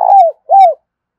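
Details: Tail of a trapping decoy spotted dove's call meant to bring in wild doves: two mellow, hollow coos, each gently arched and falling away at the end, separated by a brief pause. Nothing else is heard.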